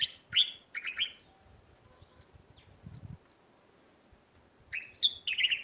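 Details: Sparrows in a neighbourhood garden giving short, bright chirps in quick bursts at the start, a quiet stretch, then another lively run of chirps near the end.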